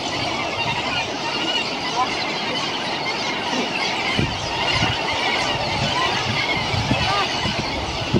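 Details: An Australasian gannet colony with chicks at Muriwai Beach on 7 December 2017 gives a dense, continuous din of harsh, grating squeals and croaks over steady wind and surf noise.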